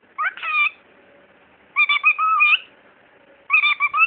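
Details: Caged talking bird utters three brief speech-like phrases of tonal, whistled syllables with wavering pitch, spaced about one to two seconds apart, in a quiet room.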